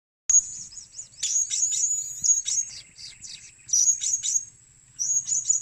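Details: Blue-crowned hanging parrot used as a lure bird, giving bursts of very high, thin chirps and twittering notes in clusters over a constant high-pitched whine, with short quiet gaps between bursts.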